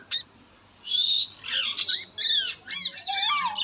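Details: Pet Indian ringneck parrot making natural talking sounds: a short sharp note, then a string of high, harsh, chattering squawks and rapid warbling syllables with some falling slurs, loud and close.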